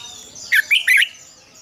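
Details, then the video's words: Brief mature wild-style double-note phrase from a red-whiskered bulbul singing in the morning as a training lure: three loud, liquid warbled notes in quick succession. "luyện chào mào hót sáng, Ép chào mào hót âm kép già rừng hay tuyệt!"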